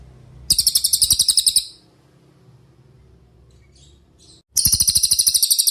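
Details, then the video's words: Cililin singing as a master for training songbirds like Murai Batu and Kacer: a fast run of piercing, high, repeated notes, a long quiet gap with faint distant chirps, then another fast high burst. "MASTERAN CILILIN GACOR – Suara Jernih Untuk Murai Batu, Cucak Ijo, Kacer"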